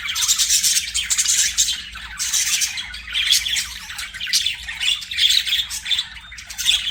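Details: Singing, playing budgerigars produce an unbroken, rapid warble of harsh squawks, buzzy trills and chirps. The sound surges in short bursts throughout.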